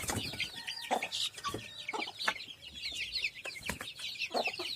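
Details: A crowd of village chicken chicks keeps up rapid high-pitched peeping, thin falling notes overlapping throughout, mixed with sharp clicks, taps and brief scratchy noises.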